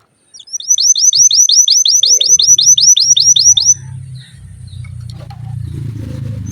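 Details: Canary singing a rapid trill of about fifteen bright, downward-curving whistled notes, repeated evenly for three seconds, then stopping, after which only a low rumbling background noise remains.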